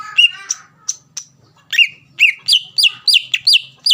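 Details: Greater green leafbird in full song, used to provoke a rival into singing: a rapid string of loud ringing whistled notes, each sliding down sharply, repeated about three times a second after a few scattered opening chirps.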